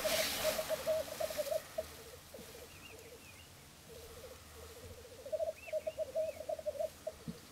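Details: Three displaying black grouse males at a Florarna lek, dawn on 17 April 2013: a hiss at the start, then low bubbling rookoo phrases broken by gaps, with faint higher calls in the background.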